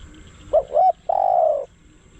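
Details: Single phrase from a spotted dove kept as a decoy to draw wild doves: two soft hoots, the second longer, then a sustained slightly falling coo lasting over half a second.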